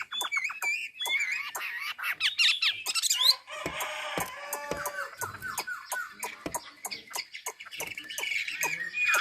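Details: Chinese hwamei, Ha Giang, Vietnam: quick warbled whistles at first, then a noisier stretch of harsh notes and loud clicks, ending in softer phrases.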